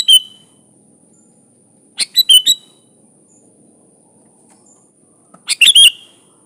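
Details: Sooty-headed bulbul in full song: three short bubbly phrases of quick, slurred whistled notes, one at the start, one near two seconds and a final one near five and a half seconds, with quiet pauses between.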